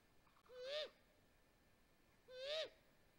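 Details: Great grey owl nest in Mission Valley, May 12, 2020, with the male delivering prey, recorded by a nest camera: two rasping harmonic calls about two seconds apart, each rising and then dropping away.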